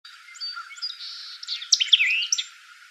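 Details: A White-eyed Vireo sings in Bruce County, Ontario, Canada, on June 17, 2018: a quick, emphatic jumble of sharp chips and slurred whistles, building to a burst of rapid notes near the end, with faint insect hiss beneath.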